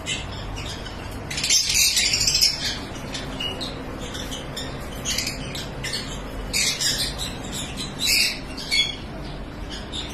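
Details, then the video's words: On a breeding farm, lovebirds let out intermittent bursts of shrill, high squawking, several noisy clusters separated by quieter stretches over a steady low background hum. "Love Bird Sounds"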